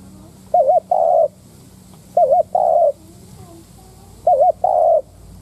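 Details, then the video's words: Spotted dove decoy calling to provoke wild doves into cooing: three phrases, each a rippling coo followed by a fuller falling coo, spaced about two seconds apart over a low background hum. "Tiếng cu mồi đất thúc - gù kích bổi - tập mồi cực mạnh / Chim nghe tiếng này tức điên gù gáy cả ngày"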